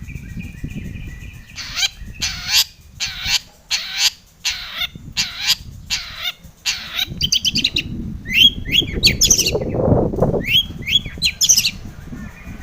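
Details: Long-tailed shrike, a provoking song for other shrikes: harsh, broad rasping notes repeated about every half second, then quick squeaky chirps, with low rumbling noise throughout.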